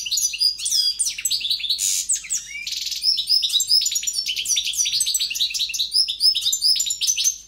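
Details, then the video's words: European goldfinch in full, forceful song: an unbroken stream of high tinkling twitters, rasping buzzes and sweeping whistled notes for several seconds, clear and close. "JILGUERO CANTANDO"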